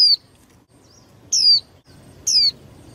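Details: Caged female white-eye used to spur males into contest singing: three thin, high, downward-sliding whistles, each about a quarter second long, separated by roughly a second of quiet background.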